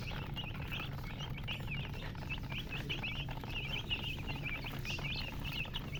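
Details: Baby chicks cheeping in a group, rapid high peeps overlapping continuously, a few standing out louder, over an unbroken low rumbling hum.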